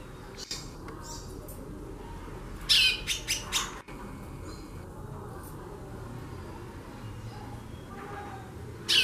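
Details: Female chorão (White-bellied seedeater) xaxando heavily: a loud cluster of harsh, buzzy notes in quick succession, then quieter high faint notes, with a sharp click and another harsh burst at the end.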